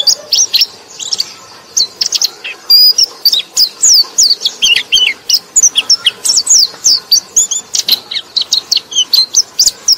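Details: Song of a white-eye, played to lure other white-eyes, delivered as a dense, unbroken stream of rapid high chirps and sliding whistled notes, several per second, loud and continuous for the whole stretch.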